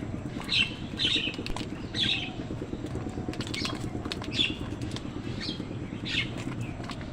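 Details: Crows and other wild birds fighting for food, giving rough, scratchy caws in quick clusters, then scattered single squawks, over a constant low outdoor hum.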